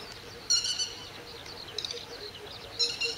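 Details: Northern lapwing defending its territory against a grey heron and ducks with low-level attacks, morning of 31 May 2011: thin, high, scratchy calls in short bursts at irregular intervals over a steady outdoor background noise.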